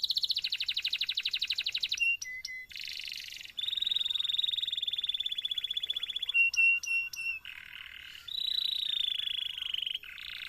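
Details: Long, vigorous canary song meant for training other canaries to sing: a rapid pulsed trill, short whistled notes, a long buzzy sustained roll, sharp clipped chips, then further rolling tours in quick succession.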